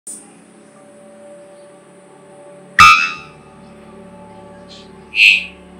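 Three-wattled Bellbird gives two loud, abrupt, ringing bonks about two seconds apart, over soft background music.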